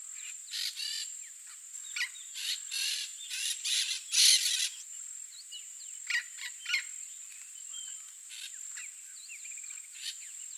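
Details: A wild yellow-faced parrot (Alipiopsitta xanthops) in Brazilian Cerrado habitat gives harsh, grating screeches in quick bursts over the first few seconds, then sparser calls, against a steady high insect whine and faint chirps.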